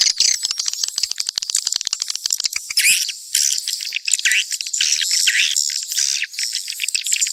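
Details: A rapid train of dry clicks opens the mixed swiftlet sounds, then gives way to a dense wash of shrill, overlapping twitters and chirps.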